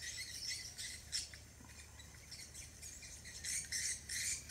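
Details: Swiftlets on Koh Samui, Thailand, in a test recording at a bird-nest site: bursts of high, buzzy chirping calls repeated in quick clusters over a steady low hum.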